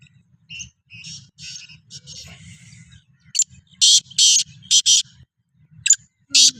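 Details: Black francolin kept for chakri training: soft scratchy notes, then several loud harsh grating bursts in an irregular series, over a low steady hum and background music.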